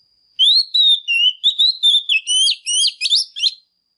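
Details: A female Oriental magpie-robin sings hard to stir males into song, delivering about three seconds of clear whistled notes that step up and down before breaking into quick looping phrases.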